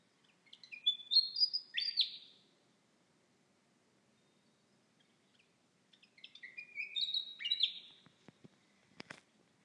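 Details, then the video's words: Night-singing bird, sitting on a windowsill and whistling through most of the night with occasional pauses; two high, intricate warbling phrases, each about two seconds long, separated by a silent gap of around four seconds, followed by a few sharp clicks. "Noisy night bird"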